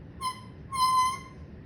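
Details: Pet parrot giving two harsh, tonal calls rich in overtones, a short one followed by a longer, level note, against faint low background hum.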